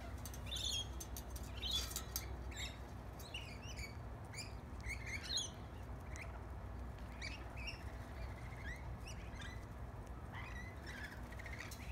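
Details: Several lorikeets in a backyard, interested in a piece of bread crust while being hand fed, give many short, shrill chirps and screeches that overlap and come in quick bursts over a steady low background rumble.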